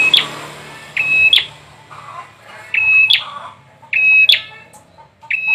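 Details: Bar-winged prinia song: loud sharp chirps with a flat whistled tone near the high register, given in short bursts roughly every one to one and a half seconds, with quieter twittering between.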